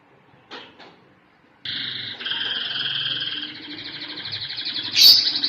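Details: Canary song opening with two short notes, then a long, rapid rolling trill. The trill runs steadily for several seconds before ending in a brief bright, sharp accent.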